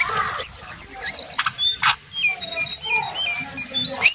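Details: Brown jongkangan in lively song, giving rapid high chirps and thin whistled notes in quick succession, with occasional harsher clicks between phrases.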